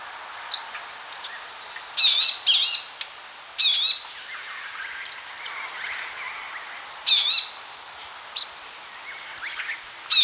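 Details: Palestine sunbird giving scattered sharp high chips interspersed with short, dense bursts of warbling, wavering trills, repeated several times against quiet surroundings.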